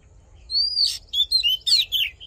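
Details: An Oriental magpie-robin's fighting song, meant to fire up males: a long level whistle, a scratchy burst, then quick downslurred and rising whistled notes.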